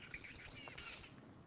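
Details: Zebra finch male song, one of three recorded males played back in a lecture hall: a quick run of harsh, buzzy, nasal notes piling into a brief chattering phrase, heard faintly in a quiet room.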